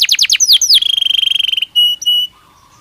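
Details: Caged canary in breeding season gives a few sharp downslurred notes, then a fast even trill on one high pitch, followed by two short steady whistles.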